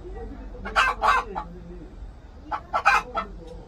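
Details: Korean native chicken cackling in two clusters of rapid, loud, rasping notes. Each cluster holds about three syllables, with a quiet pause between the groups and a low hum underneath.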